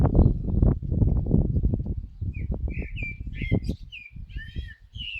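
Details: Common blackbird song emerging after loud low thumping noise: a run of short mellow whistled notes ending in a thin high twitter.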